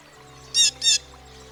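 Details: Blue Jay, common in American backyards, uttering two quick, rasping, high-pitched bursts in close succession, each about a tenth of a second, set against a quiet musical backdrop.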